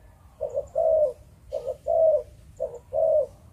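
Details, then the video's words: Breeding spotted dove of Malaysian stock, cooing in Vietnamese 'chụp chụp ô' style: three evenly spaced phrases, each a short doubled note and then a sustained low, mellow coo. "Chim Cu Gáy | Chụp Chụp Ô"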